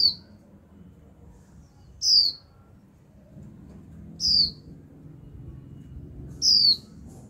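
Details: Caged female Japanese white-eye calling 'chíu' continuously to provoke a male's song: four crisp, high, descending whistled notes about every two seconds, over a low hum.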